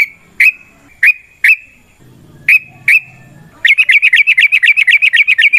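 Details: Fighting-style 'ropel' song of a yellow-vented bulbul, used to prompt other birds to sing back. Spaced sharp whistled notes with a low murmur between them give way to a fast, even, warbling trill of rapid repeated notes.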